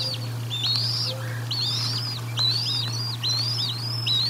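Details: Feeding at the Decorah North nest, 1 April 2022: a bald eagle's repeated high, looping whistles, about five in four seconds, with a brief lower squeal and steady background hum.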